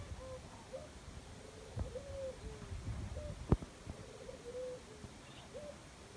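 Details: Jungle dove giving low, hollow coos in a string of short rolled and level notes, with a few sharp clicks and knocks nearby and a constant low rumble.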